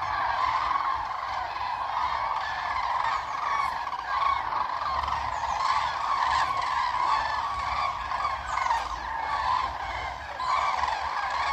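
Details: Common cranes gathered in a big group on Bodden meadows near Ribnitz, Baltic Sea, Germany, recorded at a distance from a bike path: constant layered honking and rolling trumpet calls from many birds, with a few sharper notes rising above.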